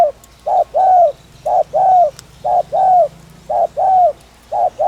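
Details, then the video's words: Spotted dove, known locally as cu gáy, giving rapid, regular coo pairs to stimulate rival doves: a short hoot then a longer falling one, repeated about every second, clear and close. "tiếng chim cu gáy THÚC - RÚT BỔI - KÍCH MỒI cực chuẩn"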